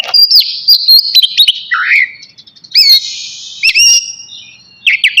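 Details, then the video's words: Navy-type magpie-robin singing before bathing, with long clear whistled notes, a descending slurred phrase, sharp chip bursts and a quieter stretch near the middle. "KACER NAVY GACOR SIAP MANDI"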